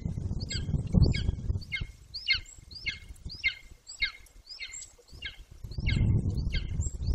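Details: Juvenile Golden Eagle, 18 weeks old, calling close to its nest in Bucovina on 9.6.21. It no longer returns to the nest. A rapid run of thin, downward-slurred yelps repeats about four times a second, with bursts of low wind rumble.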